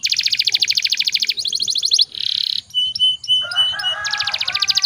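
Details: Canary singing a long rolling lure song to get other canaries going: rapid high trills, a brief buzzy rattle, short clipped notes and a lower warbled passage before the trill returns.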